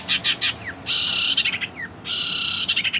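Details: Cendet, the long-tailed shrike, delivering isian filler song: short chirps and downward-sliding notes broken by two long, loud, rasping buzzy bursts, each followed by quick stuttered clicks.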